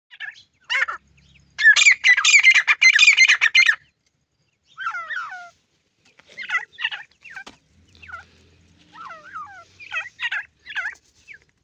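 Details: Francolin chicks at play, giving high, thin downslurred peeps in scattered bursts, with a dense harsh chattering burst early on and overlapping calls from several birds.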